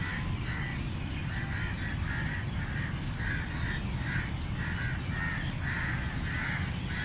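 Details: Loud, grating crow caws repeated steadily, sometimes in quick pairs, from start to finish over a deep continuous rumble of wind or traffic.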